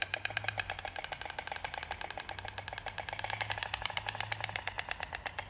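White stork clattering its bill in a long, rapid wooden rattle of dry clicks, steady for several seconds over a faint low hum.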